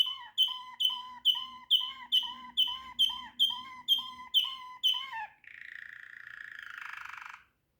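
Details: Loud Waterslager canary singing a steady series of about twelve ringing, slightly bending notes, roughly two per second, then switching to a rough, buzzy churring trill that drops gradually before stopping.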